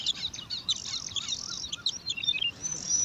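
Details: Competing for food, five bar-winged prinia nestlings in alang-alang grass give a rapid stream of high thin chirps and squeaks, with faint repeated wavering lower notes running beneath them.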